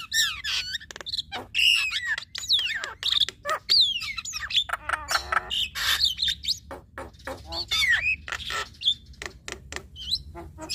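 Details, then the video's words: Javan myna pair, male and female, duetting through their repertoire: quick sliding whistles, twangy notes and dry clicks tumble over one another in a restless, irregular stream. "Duet Jalak Kebo Fenomenal Jalak Kebo Jantan Dan Betina Bongkar Isian"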